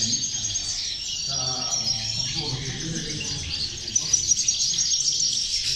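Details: Female goldfinches singing as a group to stimulate other goldfinches: unbroken high chattering and twittering, with a few sharper chirps standing out near the end.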